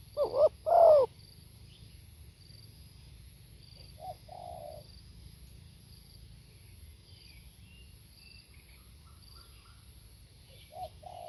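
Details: Live recording of a Spotted dove's song. Two strong, low cooing notes open the phrase. A softer coo follows about three seconds later, and another comes near the end. Between them there is quiet, with faint distant chirps and a low background hum.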